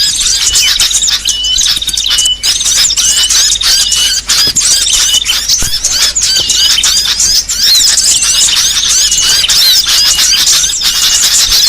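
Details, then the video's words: Lure sound used for trapping all kinds of small birds: a dense, unbroken chorus of high, overlapping twitters and short chirps, with thin whistled notes rising and falling throughout, many birds calling at once with no pauses. "Suara paling ampuh pikat segala jenis burung kecil"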